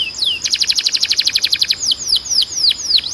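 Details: Canary singing a training song: a rapid run of about four notes per second, bright and trilled, then slower, separate down-slurred whistles spaced widely apart.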